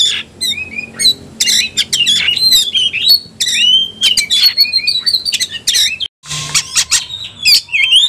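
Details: Fighting-mode Oriental magpie-robin singing 'ngobra' style: loud tumbling whistles, twisting slurs and harsh scratches in a rich, continuous outpouring, broken by one brief silence near the end.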